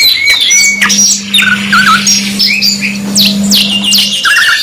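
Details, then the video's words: Canary singing for a 2 in 1 master track: scattered whistled notes, short warbles and buzzy rolling trills with gaps between phrases, and a low hum steady underneath. "MASTERAN 2 IN 1 KENARI MEWAH | CANARY SINGING"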